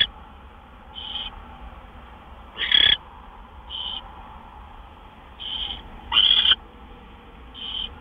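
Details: Owls at a nest during two gopher deliveries just after midnight on March 26, 2013. Short, hissy, high bursts repeat roughly every second or two. Two louder, harsher, broadband screeches stand out among them over a steady low background hiss.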